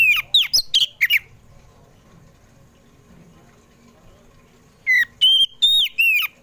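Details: Oriental magpie-robin (kacer poci) singing in the afternoon, used as a lure to get pet birds singing: a quick burst of sharp whistled and slurred notes, a long near-silent pause, then another run of bright whistles.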